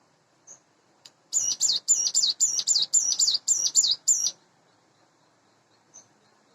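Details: Captive hand-raised Sunda bush warbler, about eight months old, in the morning: a single three-second phrase of about eleven high, sharply twisting notes in quick rhythm, framed by a few faint, soft chips.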